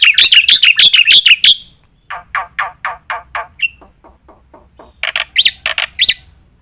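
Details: Training song for competition birds from a black-winged myna. A fast burst of loud harsh notes is followed by softer spaced rasping notes, then a few loud sharp calls near the end.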